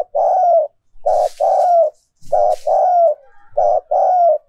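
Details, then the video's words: Decoy spotted dove cooing, used to encourage other doves to coo more often: loud, low coos in quick succession, several drawn-out phrases with short pauses and a faint high note now and then. "Tiếng Chim Cu Mồi Mp3/ Âm Thanh Chất Lượng Cao Dùng Kích Bổi Siêng Gáy"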